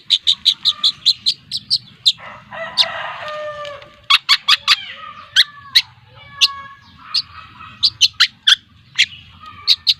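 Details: Young long-tailed shrike, two months old, a cendet trotol from Lampung, giving repeated sharp, high clicky notes broken by a harsh raspy burst and several lower, down-slurred whistled notes midway.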